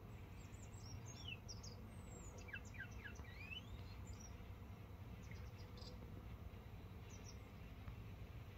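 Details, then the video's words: Grey wagtail singing while feeding: thin, high, sharp notes and quick descending and rising slurs in loose bursts, faint over a constant low rumble of background noise. "Grey Wagtail eating and singing"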